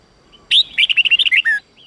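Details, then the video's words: Red-whiskered bulbul, voice-training song in the 8-9-10 note style. A single bright phrase of about ten quick, clear, liquid whistled notes lasts roughly a second. The first note is loudest and the last note slurs downward. "Luyện giọng chào mào hót hay âm 8-9-10"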